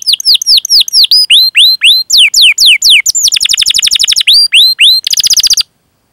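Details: Canary song for provoking other canaries to sing: rising and falling whistled sweeps repeated rapidly, breaking into dense fast rolls of short notes, more sweeps, then a brief buzzy trill before silence.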